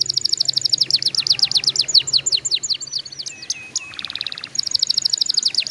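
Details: Canary song for prompting young canaries to sing: rapid repeated falling notes nearly three per second, a few soft whistles, a short buzzy rattle, then the fast notes resume; faint low hum in the background.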